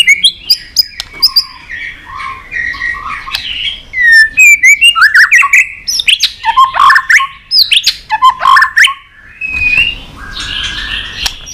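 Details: Stimulated white-rumped shama, tail-flicking, delivering a long multi-voiced song: dense chattering, clicks and looping whistles in rapid bursts, easing to quieter twitters near the end.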